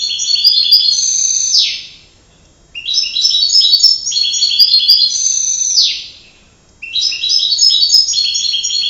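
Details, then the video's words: Canary song: three long phrases of high rolling, buzzy trills, each about two seconds and closing with a downward slur, separated by short silences. "canary voice"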